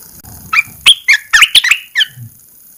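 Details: A caged red-eyed bulbul, uncovered for the first time after 14-day cage-cover therapy, sings one phrase of sharp, liquid, bubbling notes. A faint low rumble is heard at the start and end.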